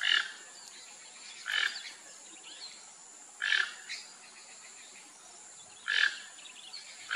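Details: Rufous-tailed jacamar calling with short, sharp bursts repeated about every two seconds, each a bright high note with a slight downward trail, over a constant faint hiss.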